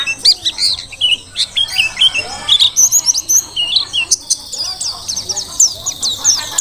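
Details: Very active Mountain white-eye of the Merapi forest type, used as a tutor: an unbroken, chattering stream of high, varied chirps and twitters, ending in a fast trill-like run.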